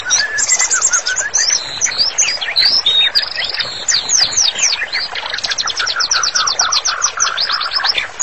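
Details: White-rumped shama in energetic full song, used as a master recording for training birds: rapid high whistled notes and steep descending slurs, dense trills and chattering runs, with some lower whistles mixed in.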